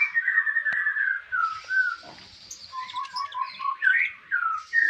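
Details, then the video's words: Konin master song: low-pitched whistled slurs, a short gap, then a quick chain of rising chirps and a final whistle. "Konin mewah masteran wajib kicau mania"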